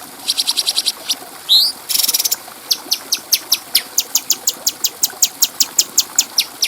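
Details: Bulbul called cucak cungko locally, singing on a clear tutor track for training birds: quick high chip series, a rising whistle, a brief buzzy rattle, then steady sharp chips about four per second.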